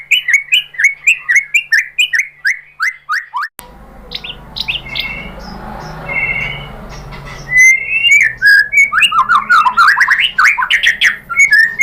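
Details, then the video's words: Provoking song of a white-rumped shama: rhythmic rapid notes with high clicks, a mid section of scattered calls over a noisy background, then lively, dense warbling. "MURAI BATU APAPUN SPONTAN NYAUT ¦ PANCINGAN MURAI ¦ SHAMA BIRD"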